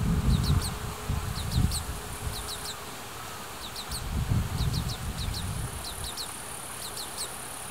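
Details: Fledgling Oriental greenfinches follow their parents and beg for food in the breeding season, Hiratsuka, Kanagawa, Japan. Quick, high chirps come in twos and threes, repeated in bursts about every second, over gusty wind noise on a built-in microphone.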